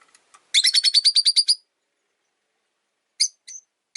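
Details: Three rosy-faced lovebirds newly caged together indoors near a window, the first white-faced bird hostile to a yellow-faced newcomer; a rapid run of about ten harsh, buzzy chirps, then a pause and a few scattered single chirps.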